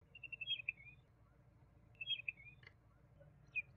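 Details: Juvenile common babbler producing two quick bursts of high, slightly buzzy chirping notes about two seconds apart, each a rapid descending run, with a single louder click-like note between.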